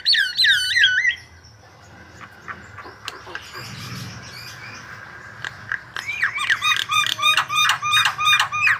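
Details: Lure song of a white-vented myna: opening looped whistles, a long near-silent stretch with scattered clicks, then a renewed burst of rapid, squawky chattering and rising whistled notes.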